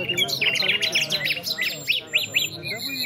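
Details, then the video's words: Afghan competition nightingales produce a rapid string of sharp, arched chirps, several per second, slowing toward the end, with a second singer and murmuring people behind. "Nightingale Competition in Afghanistan"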